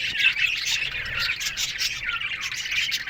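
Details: Budgerigars chirping in an aviary at morning, with warbling, slightly rising and falling chirps and squawks overlapping from several birds in a continuous stream.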